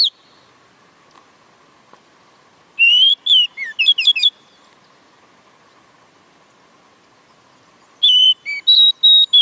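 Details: Oriental magpie-robin giving two bursts of whistled song separated by a long silent gap, each a mix of steady whistles and quick swooping, chattering notes, over a faint constant hum.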